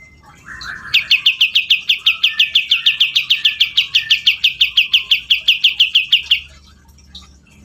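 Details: Grey-cheeked bulbul, a kept songbird in full chatty song: after a short lower warble, a fast run of about thirty sharp, identical high chirps, roughly five per second, then quiet.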